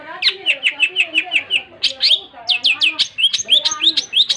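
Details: Long-tailed shrike in full song gives a rapid string of even, falling chirps. After a brief pause come varied upslurred and downslurred notes.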